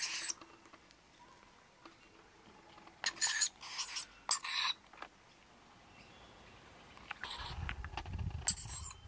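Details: Wild pair of rainbow lorikeets bringing two young to a balcony for powdered nectar; loud rasping screeches in short bursts, two close together mid-way, then another near the end, with a low rumbling noise in the final seconds.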